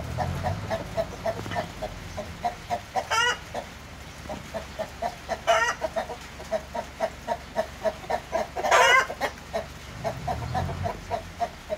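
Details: Splash Wyandotte chickens kept as new breeding hens cluck steadily in short, regular mid-pitched notes, broken by three louder, grating squawks; faint low rumbling at the beginning and end.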